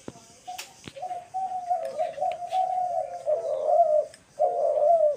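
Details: Dove cooing, recorded March 28, 2024: a long run of connected, low, mellow coos that swell in loudness, followed by a brief pause and one more drawn-out coo.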